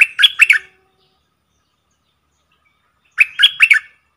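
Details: Decoy streak-eared bulbul in a cage calling wild birds that circle but refuse to come down. Short phrases of rasping, chattery notes, each phrase about three quick notes, repeated about three seconds apart in silence.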